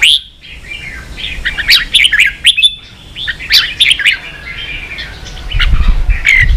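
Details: Red-whiskered bulbul, a Vietnamese kept bird, singing fiercely in a fighting contest: clusters of rich, fast whistled and warbled notes, swooping up and down, separated by short silences, ending on a clear high whistle with low rumble beneath.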